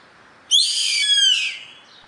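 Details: Yellow-headed caracara calling in nature: one loud, rough, buzzy scream of roughly a second, beginning suddenly and sagging slightly in pitch before trailing away, with a quiet background.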